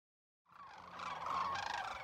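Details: Thousands of wintering Sandhill Cranes at Whitewater Draw, southeast Arizona, in January 2021, resting in water along the shore, form a dense chorus of rolling, trumpeting rattles that merge into a continuous rattling roar swelling after a sudden start.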